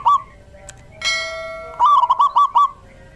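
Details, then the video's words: Male local zebra dove in full song, a lure sound for catching other zebra doves: one short coo, then a ringing metallic bell-like tone, followed by a rapid phrase of six staccato, bubbling coos. "Suara perkutut lokal jantan GACOR"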